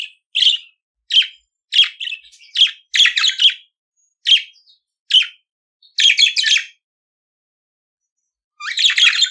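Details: Budgerigar song of short sharp chirps repeated roughly every half second, mixed with brief chattering bursts, then a pause and a final warble.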